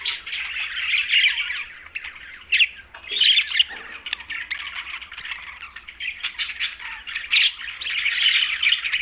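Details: Flock of green budgerigars at mealtime in Larkana, Sindh, giving a steady stream of squawks and chirps, with loud harsh bursts around three, seven and eight seconds.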